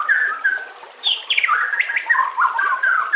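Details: White-rumped shama (murai batu) in a training recording, singing a continuous warbled phrase of slurred whistles, downward sweeps and rolling mid-pitched notes with little pause.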